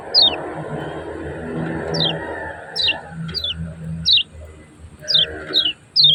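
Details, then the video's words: White-eye (kecial kuning) from Lombok, recorded as a master recording for training other birds: short, sharp, high notes sliding steeply downward, given singly or in pairs about every second, over a steady low hum and background noise. "SUARA KECIAL KUNING TERBARU UNTUK MASTERAN KECIAL KUNING LOMBOK"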